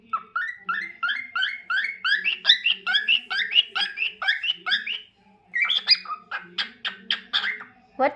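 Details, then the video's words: Pet cockatiel in crazy singing mode: a long rhythmic string of rising warbled chirps, about two per second, then a brief pause and a burst of sharper, faster notes. "Cockatiel Crazy Singing Bird"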